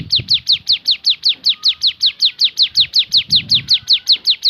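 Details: High, piercing notes from a Javan sunbird in 'tembakan' style, each a quick downward slur, repeated rhythmically nearly three times a second over light low-pitched background noise.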